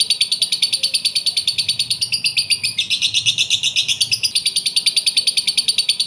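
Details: Lovebird singing to prompt another lovebird to answer: a rapid, steady series of high, sharp chirps, about seven per second, continuing without pause throughout.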